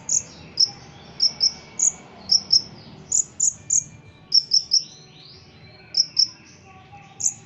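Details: Ruby-cheeked sunbird, a caged contest bird from Indonesia, delivering scattered high, sharp chirps in pairs and threes, with a few softer downward-sweeping notes between them over faint background hum.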